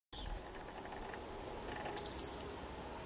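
A male fire-breasted flowerpecker gives very high, thin ticking notes, first a short burst, then a quick run of about eight sharp ticks.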